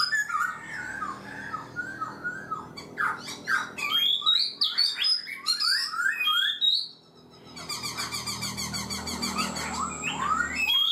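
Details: Caged black-throated laughingthrush, kept four months, singing a varied run of slurred whistles and rapid trilled notes, swooping from high to mid pitch, with a brief pause before a bright, dense burst of repeated phrases.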